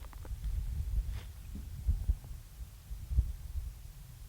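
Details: Low, uneven throbbing rumble with soft irregular thumps and a faint hum; no animal voice is heard.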